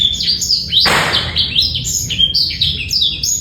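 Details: A male Black-throated canary sings a clear song, used to get young birds singing and females into breeding condition: a fast, unbroken run of high, sweet twitters and trills with quick rising and falling notes; a brief rustling burst early on.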